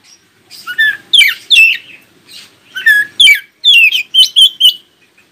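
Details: Song of an Oriental magpie-robin intended to make other magpie-robins answer: loud whistled phrases with harsh buzzy edges in two groups, ending in a row of quick sharp notes, over a faint low hum.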